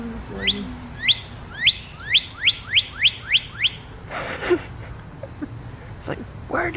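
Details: A northern cardinal call played from a computer outdoors, a quickening run of about nine clear, rising whistles, to which a male cardinal flew into the yard in response; people then talk quietly nearby.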